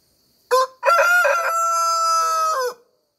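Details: Rooster crowing in a Nepali village: a brief opening note, a short pause, then a long, strongly harmonic held crow of about two seconds that drops in pitch at the end, over a quiet background.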